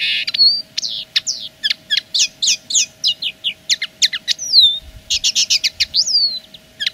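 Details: Territorial song of a common linnet: loud, fast series of crisp chirps and slurred whistles, one descending whistle, then dense twittering trills, with a constant faint hum beneath.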